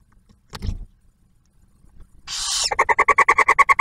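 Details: Barn owls at a nest box near Oak Harbor, Ohio, with the male delivering food to the female and newly hatched owlet; a soft bump, then one hissing screech followed by a fast, even run of nasal chittering notes.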